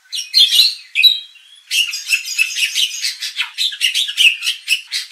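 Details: White-rumped shama sound used to provoke contest birds, harsh raspy squawking notes in bursts, a short whistle, then a rapid series of scratchy chattering calls.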